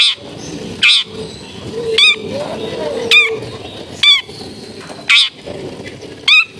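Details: Long-tailed shrike in a crowded residential setting, used as a warm-up for shrikes that went quiet: harsh rasping squawks alternating with nasal, wavering calls, about one per second, over low background chatter.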